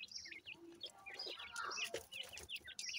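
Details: Grey francolin chicks peeping: thin downward-sweeping chirps repeat in an uneven run, broken by brief broadband rustling and knocking noises.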